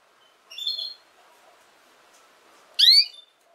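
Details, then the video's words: Canary, from a song-teaching recording for young canaries: a soft, warbled high note, then after a pause of about two seconds a loud, sharply rising harmonic chirp. "Chant De Canari Pour Apprendre Au Jeune Canaries"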